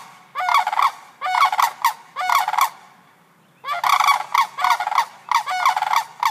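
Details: Sandhill cranes in Sarasota, with chicks that closely watch their parents, react to background sounds with loud, rolling, rattling calls in bursts under a second long: three in quick succession, a brief pause, then a longer run.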